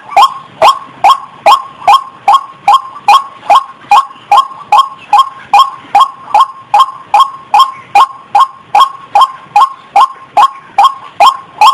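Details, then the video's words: An extended run of about twenty-nine harsh, nasal calls from a female white-breasted waterhen in breeding condition before mating, delivered at a very steady rhythm of two to three notes per second. "Suara Burung Ayam Ayaman/Ruak Ruak Betina Lagi Birahi"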